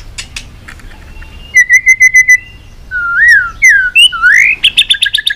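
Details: White-rumped shama in heated competition singing, flicking its tail. A row of even whistled notes comes first, then looping, swooping whistles that rise and fall, ending in rapid repeated high notes.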